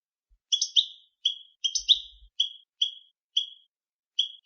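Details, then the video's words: European goldfinch giving short bright paired chirps, each a high note stacked over a slightly lower one, delivered in an uneven series of about nine notes with brief pauses between them; a few faint low thumps. "El Jilguero BiH 9"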